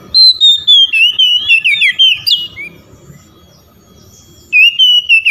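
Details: Oriental magpie-robin calling to rival magpie-robins that respond. A run of loud, high, wavering whistles lasts about two seconds, then a short pause and another strong whistled phrase near the end, with faint tapping below.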